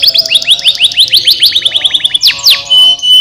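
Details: Canary singing to stimulate lazy canaries: a rapid even trill of repeated upswept notes, two sharp downward sweeps, then a thin steady high whistle.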